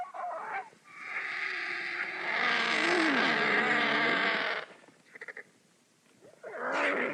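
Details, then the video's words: Squabbling vultures at food make a prolonged harsh rushing hiss over wavering, warbling low groans, then a pause with faint scratchy ticks before another loud rasping outburst. "Vultures Squabbling Over Food"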